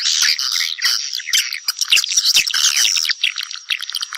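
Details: Swiftlet calls summoning others to nest, a busy chorus of thin, shrill chirps and clicking twitters, with a high steady tone running under the second half.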